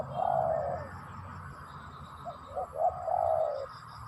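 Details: Spotted dove singing a long, soft, mellow coo, then a few short quiet notes and another long coo that slides slightly down. A faint steady high tone hums behind.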